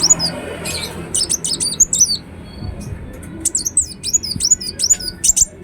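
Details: Ruby-cheeked sunbird singing actively: bursts of high, sharp, slurred chirps and ticks separated by a brief lull, then resuming with a fast run of thin piercing notes, the loudest flicks bright and whistled. Faint background noise.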